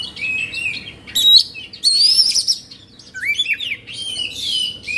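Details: Oriental magpie-robin singing agitatedly, its tail spread and beak open, in Indonesia: a continuous warbling stream of bright whistles, quick rising slurs and high tinkling notes with scarcely any pause.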